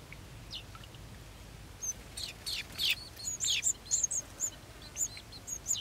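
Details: Baby golden sparrows anticipating a feed: bursts of sharp, high chirps quicken into a rapid series of bright, squeaky calls, loud against a quiet background.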